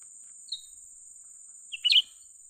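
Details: During a luring session for trapping, a young bulbul (cucak ranting) gives a thin lead-in note, then a short, bright, twisting chirp burst over a constant high tone.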